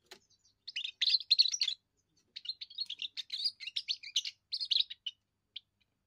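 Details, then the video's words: First song of a young European goldfinch, used to claim territory and court females: brief chirps, then rapid bursts of tinkling, buzzy twitters in two long phrases separated by a short gap, ending with a single note. "first song of a young goldfinch"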